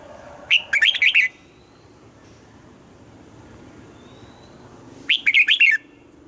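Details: Red-whiskered bulbul in morning song with double notes, in the old wild-bird manner. Two loud chattering-warbled phrases of four or five notes, about four and a half seconds apart. Quiet faint background between them.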